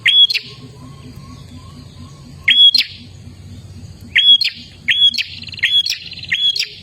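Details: Gacor dor song of an olive-backed tailorbird, used to get caged birds singing: sharp whistled bursts with long gaps, then a closer cluster ending in a buzzy rattle, over a soft pulsing low hum.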